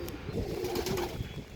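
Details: Andhra line pigeon giving a short, soft coo, partly masked by wing flaps and background rustling.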